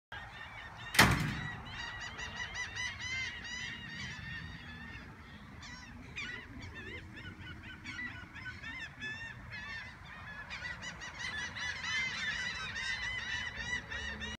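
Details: Hundreds of seagulls flying overhead in a large flock, a continuous overlapping chorus of harsh, nasal calls from many birds at once, with a sharp loud thump near the start.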